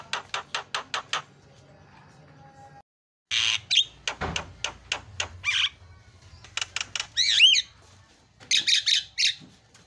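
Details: Javan myna (jalak kebo) masteran training sound with fill-in song to set mynas calling: quick clusters of sharp clicking notes, a brief silence, then harsher notes and looping whistled squeals.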